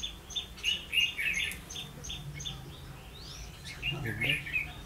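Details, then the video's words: Trapping scene on 16 October 2016 with a decoy red-whiskered bulbul. Quick whistled and chattering notes open the clip, a brief lull follows, then another warbled burst over faint low rumbling. "Bẫy chào mào mau mỏ"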